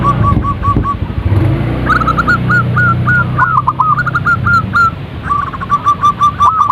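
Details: Perkutut, or zebra dove, used as a prompt call to make birds sing: brief soft notes, then a quick string of clipped coos, each dropping at the end, over low hum.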